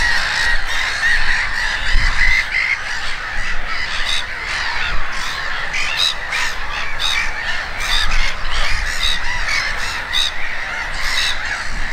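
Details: Gulls at Konstancin-Jeziorna calling en masse, a chorus of harsh squeals and sharp yelps over low wind rumble, with clipped individual cries standing out in the second half.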